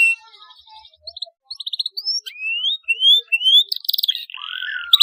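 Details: Canary chirping meant to stimulate young birds into song. The passage is sparse and quieter: short repeated pips, then clear rising whistled slurs and a buzzy burst near the end.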